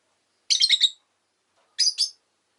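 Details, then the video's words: Pet rosy-faced lovebird, an orange bird in its last recording before it died, giving two bursts of harsh, buzzy chirps, the first a rapid run of about four notes, the second a quicker pair, with silence between. "Lovebird Chirping Sounds"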